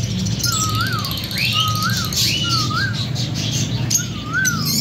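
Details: A breeding pair of lovebirds gives repeated short chirps, each a brief flat note then a quick upward flick, about once a second. Higher squeaky notes sound over a steady low hum.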